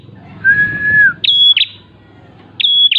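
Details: Prinia song played to lure birds, a vigorous whistling style: a long, even whistle held for over half a second, then shorter, higher, clear whistled notes with sharp starts, repeated after a pause, with faint low rumble beneath.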